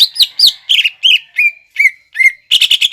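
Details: Greater green leafbird, 'nembak ngekek' lure song meant to be quickly copied by young birds. Varied whistled notes, some arching and some falling, at a steady pace, ending in a fast chattering trill.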